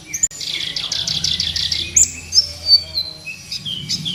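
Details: Sunbird known locally as kolibri ninja, a training recording for captive birds: a rapid high buzzy trill of about ten notes, then separate piercing upslurred whistles and thin chirps.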